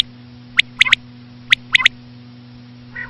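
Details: Female common quail (batair) call used for hunting: two clear phrases of three short, high, clipped notes, a single note then a rapid pair, about a second apart, with a faint nasal note at the end and a low hum throughout.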